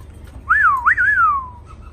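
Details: One of two newly arrived caged black laughingthrushes in Hanoi, already singing: a clear whistled phrase of two looping slurs, rising then falling, ending in a long downward glide, with faint room hum beneath.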